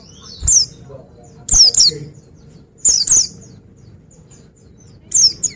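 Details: Energetic Oriental white-eye song, high thin notes sweeping downward, given singly or in close pairs about every one and a half seconds over a quiet background.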